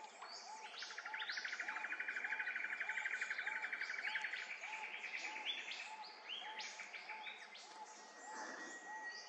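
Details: Silvereye in Queensland: busy high chatter and a long buzzy trill, with thin twittering notes above and a low soft note repeating about every half second underneath.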